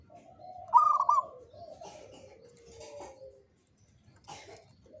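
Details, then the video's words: Local zebra dove, jogoboyo style: one quick trilled coo burst followed by a soft, lower sustained tone, then quiet with faint scraping noises. "SUARA PERKUTUT LOKAL JOGOBOYO"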